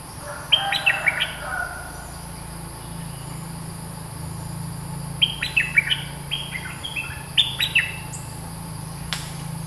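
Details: A bulbul (merbah lekir), described as a fierce territory holder with a long song, sings two quick bursts of bright, bubbling chirps, each phrase tumbling over a few seconds with a pause between, over a low steady hum.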